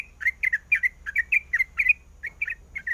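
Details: Calling to attract the male, a female sooty-headed bulbul gives clean, rhythmic paired chirps, about four per second, each a quick warbled twist, with a brief gap near the end.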